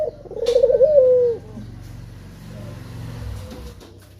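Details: A single wavering coo from a male spotted dove calling to lure others into song. It trembles briefly and then fades, leaving low rumbling background noise.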